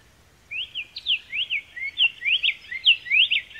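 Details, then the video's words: Black-faced tanager (Schistochlamys melanopis), a Brazilian bird, singing a lively run of clear slurred whistles, each rising then falling, about three per second, in a quiet setting. "Canto de Pássaro - SANHAÇU-DE-COLEIRA - Black-faced Tanager"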